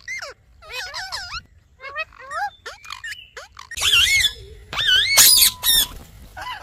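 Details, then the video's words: Parrot kept as a pet chattering in a talking style: wavy, looping harmonic syllables in short groups, then a louder, harsher stretch of rapid phrases with a steady tone held underneath for a moment. "Smart & Cute Talking Parrot"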